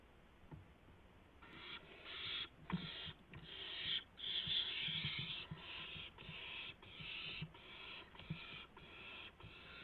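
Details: Barn owls at night, 3:10 AM on March 16, 2016, as an adult delivers a gopher to the owlets. Harsh, broad hissing screeches start after about a second and repeat in quick bursts, roughly every half second, through the rest of the recording.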